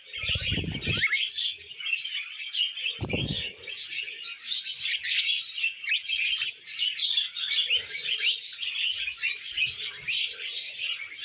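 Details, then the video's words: Happy budgies eating veg: continuous overlapping warbles, squeaks and short chirps from several birds, with two heavy low thuds early on and soft rustling later. "Happy Budgies Eating Veg"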